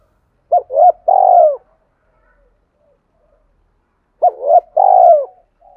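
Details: Spotted dove giving a cooing style used to provoke wild doves: two low, mellow phrases, each two short hooting notes and a longer falling coo, about three seconds apart, with silence between.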